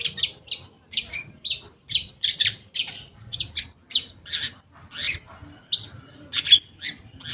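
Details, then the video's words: Long-tailed shrike song used to get stalled shrikes singing again: steady run of scratchy, harsh chattering notes repeated about twice a second, with occasional thin whistles. "Pancingan Cendet Ampuh, Pancingan Cendet Bahan Atau Macet Bunyi, Cendet Macet Akan Ikut Bunyi"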